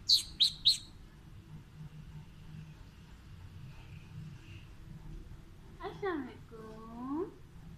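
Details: Alexandrine parakeet (Psittacula eupatria) talking in Urdu/Hindi: three sharp, high chirps, then after a quiet pause two short, throaty, word-like phrases.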